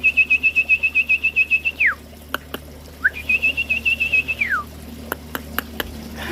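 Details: At a White-rumped Shama breeding aviary in Bengkulu, Indonesia, during the pairing season, a young male gives loud, clear whistled phrases: a fast run of even notes ending in a falling slur, then a rising start and another falling finish, followed by clicks.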